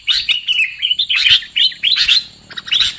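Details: A trapping lure of sooty-headed bulbul calls: a series of bright chirped phrases, each a quick cluster of bubbly notes, separated by short gaps.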